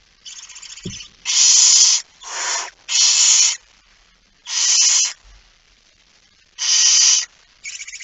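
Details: Night recording of barn owl, 17 September 2019 at 23:55, male arriving with a mouse: a series of seven loud, harsh hissing screeches, each roughly half a second, irregularly spaced, with a brief soft knock.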